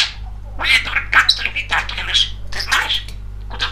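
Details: Talkative young male pet budgerigar chattering indoors: rapid, scratchy bursts of mimicked speech-like syllables with bright squeaky clicks, running almost continuously over a low electrical hum.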